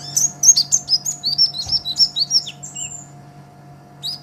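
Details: Greenish olive-backed sunbird delivering a brisk, energetic song for use as a master for songbird training: a quick, regular string of bright high chirps and dipping whistles lasting over two seconds, then a thin whistle and a final chip, steady hum underneath.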